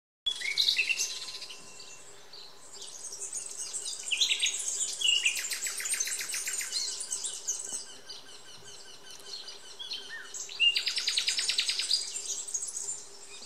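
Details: European serin at Tuchan pouring out a fast, high, sizzling jingle of buzzy trills and chirps, running almost nonstop for several seconds; a faint steady low hum underneath.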